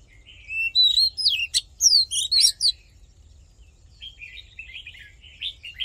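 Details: Oriental magpie-robin delivering a fighting song for voice training and firing up male birds: a vivid two-second volley of sharp, swooping whistles, then a softer trailing series of quiet chattering notes, with low background hum.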